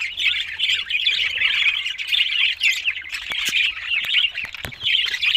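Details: Chorus of budgerigar chatter from these Australian parrots: busy warbling and squeaky notes run on without break, broken by a few sharp clicks or taps in the second half.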